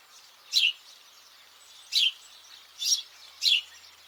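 House Sparrow giving four short, bright chirps at irregular intervals, each dropping slightly in pitch, over faint background noise.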